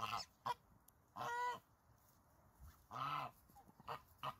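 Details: Farm goose honking repeatedly, with longer nasal honks mixed with short clipped ones in an irregular series.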